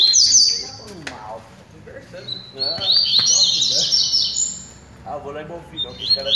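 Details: Double-collared seedeaters giving a training song: high, rapid twittering phrases with trilled notes, one long run in the middle and a shorter one at the end, over a murmur of human speech.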